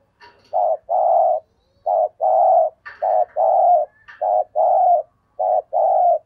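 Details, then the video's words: Decoy spotted dove urging and calling in sát bổi voice: four repeated phrases, each a quick higher lead-in, a short coo and a longer low coo, about one phrase every one and a half seconds. "Tiếng Chim Cu Gáy Thúc Gù, Và Gáy Gọi \ Giọng Sát Bổi"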